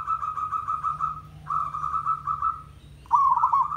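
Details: Village zebra dove, tandang style, as a training recording: two long, even, sustained whistled coos, then a louder rapid stuttering phrase, with a low hum beneath.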